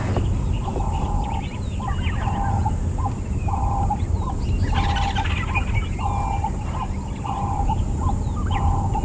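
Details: A Ring-necked Dove coos on a morning safari drive at Djuma Game Reserve, South Africa, on 30 Nov 2015, in a cooling southeast breeze. Short mellow notes repeat about once a second over wind rumble and faint bird chirps.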